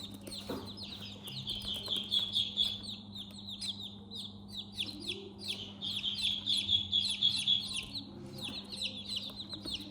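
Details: A group of baby chickens peeping in their house, quick high falling notes in uneven bursts from several birds at once, with some tapping and a steady low hum behind.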